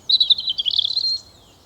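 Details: European robin singing loud and clear in a tree overhead in Hainault Forest woodland, east London, on a fine but chilly mid-April morning: a brief, rapid phrase of high, thin warbling notes that tumble and waver for about a second.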